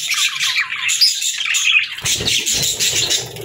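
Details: Pet budgies twitter in a busy, scratchy warble; after two seconds a broad rustling noise joins the chirping.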